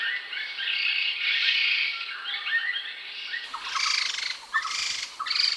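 Grey-headed laughingthrush giving loud, rich warbling phrases full of bright whistled notes, pouring out continuously, then in shorter bursts after an abrupt cut.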